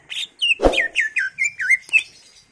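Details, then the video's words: Greater green leafbird singing a full varied repertoire as a lure for other birds: a rapid run of about ten liquid down-slurred whistles, broken early by one sharp click. "PANCINGAN CUCAK IJO GACOR FULL ISIAN/ CUCAK IJO Gacor"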